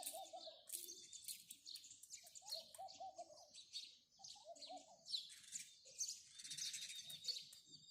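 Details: House sparrows chirping continuously in a busy chorus of overlapping sharp, high notes, while a dove's soft rolling coos repeat several times underneath.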